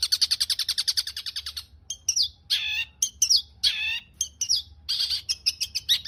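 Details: Caged long-tailed shrike song for tutoring other birds, opening with a rapid high chattering trill, then breaking into varied scratchy bursts and sharp descending whistles mixed with clicks.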